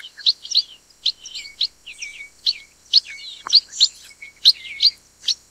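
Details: Chestnut munia (black-headed munia, Lonchura atricapilla): a lively series of bright, high chirps and brief downslurred twitters, closely spaced and uneven in rhythm, with a continuous thin high hiss behind.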